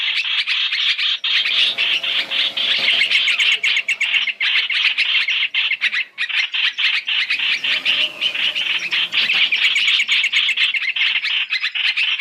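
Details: Three-in-one Chinese hwamei lure recording for bird trapping, a nonstop stream of rapid, rasping, squawky chatter at high pitch, steady in loudness throughout.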